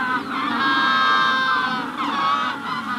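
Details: Loud, drawn-out braying of Magellanic penguins in a hatching-stage colony: two long harmonic honking bursts, nasal and strained, dominating over the wider colony chorus.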